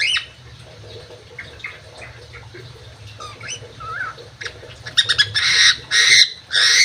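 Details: Crewet bird in an aviary: soft scattered chirps and a short whistled upslur, then a burst of loud, harsh, buzzy notes in quick succession near the end, with a low steady hum behind.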